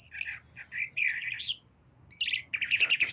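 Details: Talking myna giving a run of short, chattering phrases that rise and fall in pitch, with a brief pause midway before a denser burst of rapid, buzzy notes at the end; a quiet room hum sits underneath.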